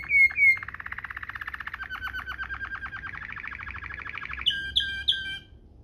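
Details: Domestic Waterslager canary singing the rolling ngerol style used to tutor other canaries: a brief whistle, then a long, even, pulsing roll that slowly lowers and rises, ending in three bright, ringing notes.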